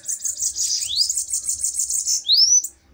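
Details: Fiery bananaquits duelling, a fast high ticking, sizzling trill running nearly two seconds, with rising whistled upslurs near the start and at the close.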